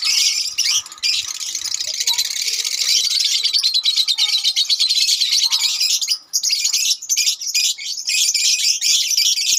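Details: A colony of lovebirds fills the air with continuous dense, shrill chattering and squeaky chirps, many birds calling at once, the din dipping briefly near the six-second mark before resuming.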